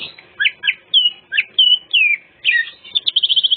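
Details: Greater green leafbird song used to lure other birds: clear slurred whistles, some falling, some rising, followed by a quick trill of repeated notes at the end.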